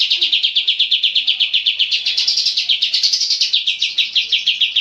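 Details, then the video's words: Persistent, clear-voiced Oriental white-eye used to train cage birds: an unbroken, very rapid series of high, bright repeated notes, slightly rising in pitch midway and then settling back. "MASTERAN kapas tembak gacor panjang dan suara jernih"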